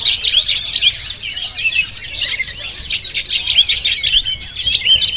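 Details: Jampang Oriental magpie-robin recorded on GoPro, its song a busy, high-pitched warble of chirps and thin whistles running without pause.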